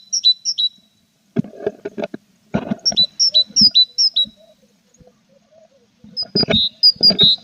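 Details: Tit at a nest box with growing chicks in April; ringing high-low paired notes in repeated phrases, broken by scratching and knocking inside the box.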